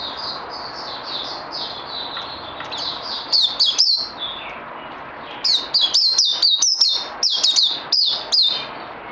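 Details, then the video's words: Training white-eye, recorded 18 May 2020, with softer whistled warbling at first, then loud bursts of rapid high slurred notes with brief clicks between them, around two per second. "Puteh Naughty Hercules need more training after Covid 19"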